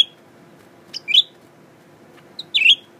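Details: A newly kept, tame captive male blue-winged leafbird sings while looking in a mirror: short, bright, chattering phrases about every second and a half, each opening with a sharp click and sliding into a high warble.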